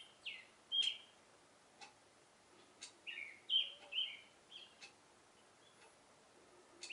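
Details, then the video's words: In the morning an Oriental reed warbler in a cherry tree sings a love song: loud, harsh, grating phrases of chattering notes in irregular bursts, with a few sharp clicks between them. "オオヨシキリの Love Song"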